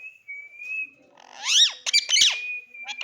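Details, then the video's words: A pet talking parrot that talks a great deal. A long steady whistled tone gives way to a burst of warbling, harsh, speech-like syllables with rising and falling sweeps, then a return to the whistle and short chirps. "बोलने बाला तोता बहुत बात करता है"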